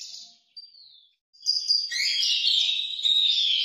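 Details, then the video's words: Orange-headed thrush (anis merah) singing in the 'teler' style: a brief thin falling whistle, a pause, then from about 1.5 seconds a dense, continuous run of high warbled and chattering notes with rapid shifts in pitch. "Anis merah teler"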